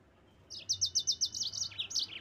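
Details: Yellow-fronted canary song meant to provoke rivals into singing: a rapid string of about a dozen bright, high chirps, evenly spaced and then quickening, after a short quiet start.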